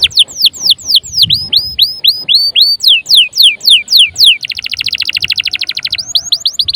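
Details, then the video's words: Canary singing to stir other birds into song: loud repeated high whistled notes sweeping down then up, followed by a dense rapid buzzy trill and more sweeping notes. "PANCINGAN KENARI GACOR||bisa juga buat master burung lain"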